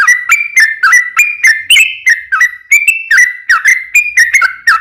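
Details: Sooty-headed bulbul singing a long, lively phrase used as a lure for other bulbuls: a continuous string of liquid whistled notes, each a quick slur, about three per second, clean background.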